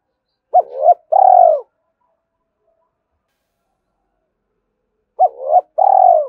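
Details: Spotted dove repeating its calling coo in the two-ending style to draw out wild doves. Two clean phrases come about 4.5 seconds apart, each a quick hooked note, a rising middle note and a drawn-out falling coo, with silence between.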